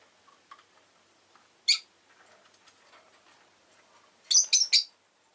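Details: Pet rosy-faced lovebird, an orange bird in its last recording before it died, with faint town noise behind; a single sharp chirp early on, then a quick cluster of three loud, raspy chirps near the end.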